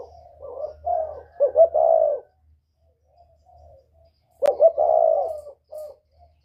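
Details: Spotted dove, northern type with whistle voice, kept for luring wild doves: two loud cooing phrases separated by faint soft hoots, with a sharp click just before the second phrase.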